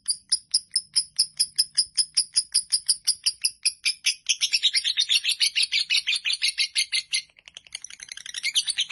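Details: Fighter lovebird in a long ngekek chatter lasting nearly four minutes: fast, evenly pulsed high notes that speed up into a denser, harsher burst near the middle, then stutter before resuming.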